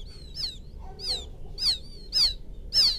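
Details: Young field quail calling to its mother with sharp, high peeps that slur downward, given about every half second and growing louder toward the end, over faint low hum.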